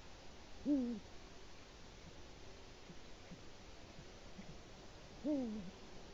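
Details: Male Eurasian eagle-owl at its nest in Latvia, filmed by a live nest camera around 6:22 in the morning on 5 March 2018, calling for its mate: two deep, slightly falling hoots about four and a half seconds apart over quiet background hiss.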